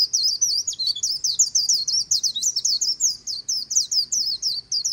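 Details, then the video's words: Continuous líu song of a white-eye along the Kỳ Cùng river, a dense, unbroken stream of very high, rapid, squeaky notes rising and falling, about four phrases per second, against quiet background. "VÀNH KHUYÊN HÓT LÍU/ 10 PHÚT CHIM VÀNH KHUYÊN LÍU BÊN BỜ SÔNG KỲ CÙNG RẤT HAY/ KÍCH KHUYÊN LÍU CHOÈ"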